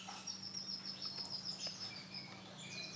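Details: A white male canary sings a thin, high trill that runs steadily for over a second, with scattered softer chirps after it, quiet against a low steady electrical hum.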